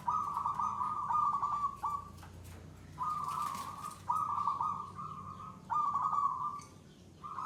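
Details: Zebra dove (perkutut) singing gacor, the long-bout third stage of a mentally settled bird: rolling, trilled cooing phrases at a steady middle pitch, each lasting about a second, separated by short pauses, with low hum beneath.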